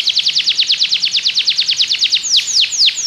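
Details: Song of a Belgian canary used to train other canaries to sing, made of a quick series of about twenty downward-sweeping whistles followed by three slower, louder falling slurs.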